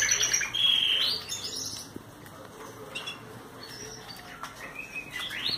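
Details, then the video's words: Young Belgian canary vocalizing during a sunbath, opening with a loud, clear whistled trill, then softer scattered chirps and twitters over steady background hiss. "Canário Belga vocalizando"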